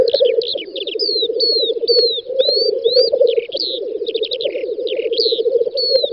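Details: On a May 2019 spring field in western Russia, lekking black grouse keep up an unbroken, pulsing low cooing bubble, while clear downslurred whistles and short chirps from other birds repeat every second or so above it.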